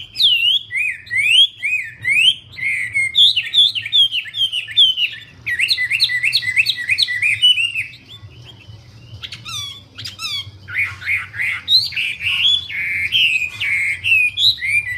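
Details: Wambi bird singing vigorously: rapid series of bright whistled notes, each rising then dropping, run together in quick repeated phrases with sharp clicks between, nearly continuous over fifteen seconds with short pauses; low steady hum beneath.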